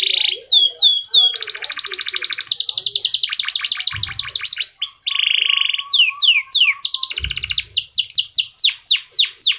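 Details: F1 canary with a distinctive song pattern meant to coax other canaries into singing: fast repeated chirps, whistled upward slurs and dense buzzing trills switching every second or two, with brief low thumps.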